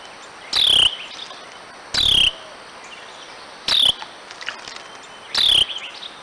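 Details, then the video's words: Chatty wren calling: four loud, rasping bursts with a brief downslurred note, spaced irregularly about one to two seconds apart, with faint background hiss between them. "Another chatty Wren!"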